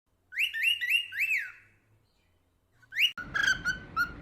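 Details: Pet cockatiel whistling a short series of four rising-then-falling whistled notes, followed by a pause and then more whistles over a burst of broadband rustling noise.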